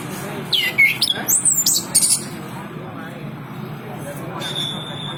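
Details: Chestnut-capped thrush, kept tame, singing a brief burst of high whistled and sweeping notes between about half a second and two seconds, followed by a faint thin high whistle near the end over low background hum.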